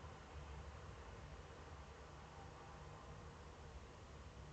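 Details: Steady broadband hiss with a low rumbling hum and no animal sound.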